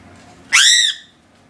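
A crow gives one harsh, raspy caw lasting under half a second, rising slightly then dropping away, against a quiet background.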